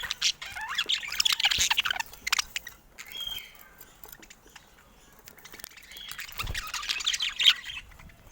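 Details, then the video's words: Pet budgerigars playing together, a flock of colourful budgies; bursts of busy high chirping and warbled chatter in two spells with a quiet gap between. "Adorable Budgies Playing Together"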